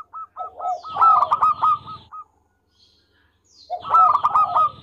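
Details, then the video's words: Local zebra dove with a melodious voice, singing often and recorded as a master song. A long string of clipped, evenly spaced coos builds into a loud burst, then the bird pauses and starts again. "Perkutut Lokal Gacor Suara Merdu Buat Masteran"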